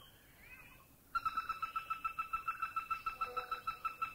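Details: Greater Flameback from Thailand: after a second of quiet background, a steady, even rattle of rapid, slightly nasal notes starts and runs on at about five notes per second without changing pitch.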